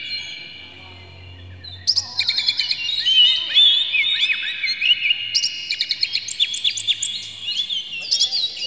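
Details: Oriental magpie-robin (kacer) in full emotional display, song meant to provoke other magpie-robins: near-silence for two seconds, then an abrupt outburst of dense chattering trills, slurred whistles and rapid staccato notes continuing energetically to the end.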